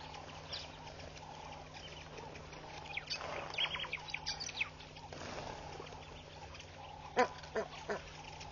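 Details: A flock of hundreds of red-billed quelea flutters around a bush at a waterhole in Mashatu Game Reserve, Botswana, on 9 August. Scattered short chirps and twitters rise to a busier chatter midway, with a few sharper notes near the end over low, steady hum.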